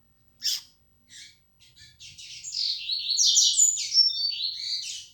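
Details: Yellow-bellied seedeater, known locally as coleiro baiano of the flecha negra song style: two short separate chirps, then a fast run of high buzzy notes with rapid sweeping whistled phrases.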